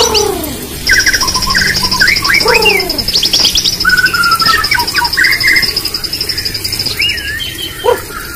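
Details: White-rumped shama, known as murai batu, singing for an online bird contest: varied short whistled notes and slurs over a long high rattling trill, with a few low harmonic calls.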